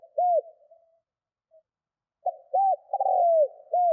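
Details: Spotted dove giving its low coo to incite wild doves to call quickly: an arched hoot, a pause, then soft note, hoot, long descending rolling trill and another hoot starting.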